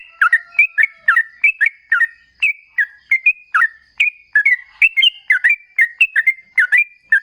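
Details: Lure song of a lively sooty-headed bulbul, meant to make other bulbuls call back: a continuous series of short, liquid, whistled two- and three-note phrases in quick, even succession.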